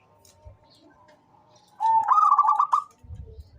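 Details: Local-strain zebra dove, a persistent caller offered as a lure to get other doves singing: one loud burst of about six rapid, bubbling staccato coos at a steady mid pitch, after faint softer murmurs and light background noise.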